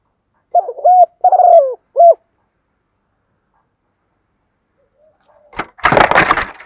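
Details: Decoy spotted dove with a "giọng thổ" voice cooing: three mellow, hollow coo notes, the middle one longest, followed by silence and then a loud burst of rustling, clattering noise.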